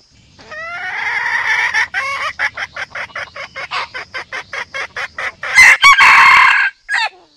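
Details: Red junglefowl hen and rooster calls used to lure birds into traps: a rising drawn-out note breaks into a long series of quick, regular clucks, ending with a loud, harsh crowing burst.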